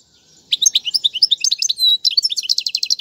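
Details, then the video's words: Royal goldfinch singing, a recording meant to teach young birds. Bright, quick chirps and slurred whistles run together, with one held note partway through, then a rapid repeated trill. "أفضل تغريد الحسون"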